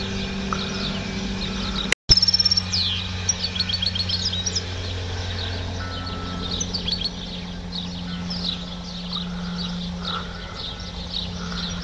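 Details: European goldfinch trained to a clean song ('educado a limpio'), though lacking one 'pirreo' phrase at the start; fast, high twittering chirps and trills run continuously after a loud click, over a steady low electrical hum.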